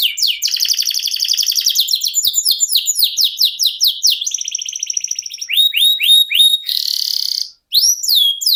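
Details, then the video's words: Canary singing a long unbroken song: a high buzzy trill, dense series of fast descending whistled notes about four per second, a rattling passage, then looping rising whistles and a brief pause. "NGEROL SEJALUR DURASI PANJANG..!"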